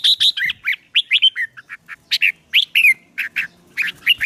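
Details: Caged songbird practising fighting song to rouse a newly caught bird: dense, loud, chattering song of bright whistled and slurred notes delivered almost without pause.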